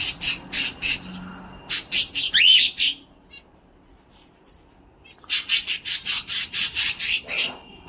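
Cockatiel giving bursts of harsh, high chattering notes in quick series, with a brief rising whistle in between and a short pause mid-way.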